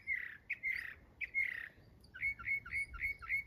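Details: Mockingbird giving harsh, squawky notes: three longer rasping phrases, then five shorter clipped squawks repeated in quick, even succession.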